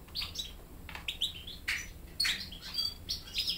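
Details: Young European goldfinch hybrids in a cage take song lessons from a goldfinch that sings better than their father. Quick, high, sharp twittering notes come in uneven bursts, roughly two per second.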